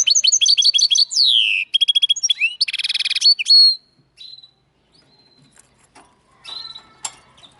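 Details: Linnet x canary hybrid singing loudly: rapid twittering chips, a falling slurred whistle, fast clicking trills and a buzzy rattle, ending in a clear whistle, followed by quiet scattered faint notes.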